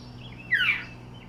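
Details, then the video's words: Northern mockingbird calling from a house roof in Yukon, Oklahoma, believed by the recorder to be guarding a nearby nest; one short harsh downward-slurred note, with a steady low hum underneath. "Northern Mockingbird Call"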